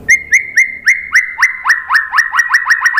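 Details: White-rumped shama lure song for provoking a response: a steady series of short whistled notes, each rising then bending down, repeated about four times a second and quickening toward the end.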